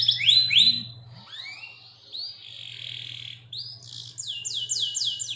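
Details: Local canary, used as master song for training birds, gives scattered rising whistles and a buzzy note before a run of fast repeated sweeping notes; quieter, with pauses and a low hum throughout.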